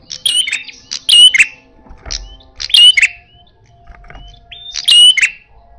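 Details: Aggressive red-headed prinia, loud fighting-style calls: clusters of harsh buzzy bursts with bright whistle streaks, about four groups at irregular spacing, joined by flat sustained whistles, with faint low thumps in the background.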